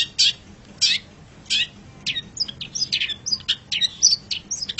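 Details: Pet-bird training song of a long-tailed shrike: a few spaced harsh notes give way to a fast jumble of varied chirps and short whistles.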